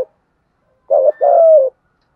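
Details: Spotted dove in the 'gù thúc' urging coo, played to stimulate and train decoy birds: one phrase of a short throaty note followed by a longer, smooth, slightly falling coo.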